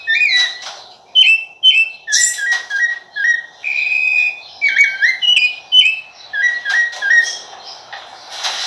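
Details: Rapid, repeated whistled phrases from a rufous-bellied thrush, each short and often dropping in pitch, strung together with tiny pauses. A hum persists in the background, with occasional sharp high chips.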